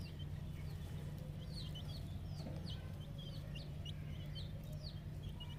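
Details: Brood of 10-day-old farm chicks peeping: bright, arching high chirps repeated several times a second by many chicks at once, with a continuous low-pitched hum in the background.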